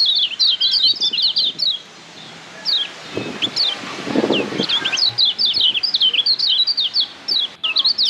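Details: Caged Lombok yellow white-eye (kecial kuning, pleci) tutor song used for training birds: rapid high whistled notes in fast chattering bursts, a short pause near three seconds with low rustling, then more sweeping twittered phrases.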